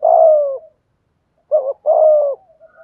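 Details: Spotted dove cooing in the thúc gù lure style, meant to make wild doves call back: a long loud hooting note, a pause, then a quick double coo and another drawn-out note.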